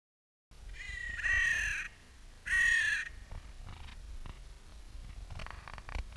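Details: A crow in Clara Park in spring gives two harsh, drawn-out caws about a second apart, each flat and slightly nasal, against a quiet outdoor background, sound mildly slowed.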